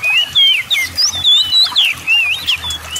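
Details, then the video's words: Oriental magpie-robin (kacer) in full 'gacor' song, played to provoke lazy birds into singing: quick run of bright whistled phrases that sweep up and down, some slurred and twisting, packed closely with brief gaps. "TERAPI PANCINGAN SEMUA JENIS KACER AGAR CEPAT GACOR, ,YANG MALAS BUNYI LANGSUNG GACOR"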